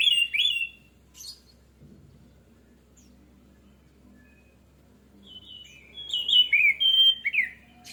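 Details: Orange-headed thrush singing as a lure: a brief opening flourish, a long near-silent gap, then a clear sequence of slurred whistled notes, rising and falling, at the end.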